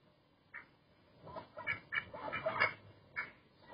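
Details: Duck giving a series of quacks, short nasal bursts spaced irregularly, about six to seven over a few seconds, louder in the middle, against a faint background hiss.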